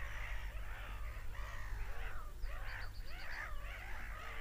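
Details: Seagulls screaming: many gulls give arched, nasal, wavering cries in quick overlapping bursts, some higher squeals mixed in, over a steady low rumble.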